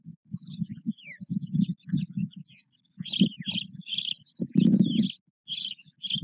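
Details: White stork chicks, four of similar size, in the nest with their father at Nové Mlýny, 8 May 2024. Short, low buzzy pulses come in choppy runs, one louder burst midway, with thin high chirping above.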